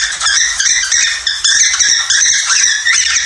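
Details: Budgerigars (Australian parakeets) chatter nonstop in a dense, scratchy warble of high chirps and squawky notes, several birds overlapping; used to stimulate a paired breeding pair, about 10 months old, to mate and lay eggs.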